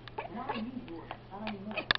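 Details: Pet grey parrot imitating a little dog, wagging its tail after learning to step up, gives soft whiny whimpers and squeaky notes, with a woman speaking over it.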